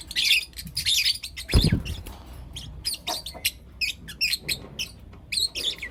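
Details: Young lutino lovebirds, four kept together, chirping in the morning: sharp high chirps in irregular bursts, about one and a half per second, with a brief low thump or bump midway.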